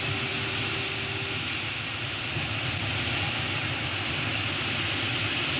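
Steady loud rushing noise like wind or a fan, with a low hum and a short steady tone at the start, and no animal calls.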